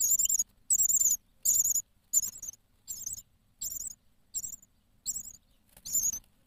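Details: In a camera-watched nest box in Poland, six-day-old chicks beg during feeding with high, trilling, wavering squeals repeated in short bursts roughly every three-quarters of a second, accompanied by low rustling and shuffling sounds from inside the box.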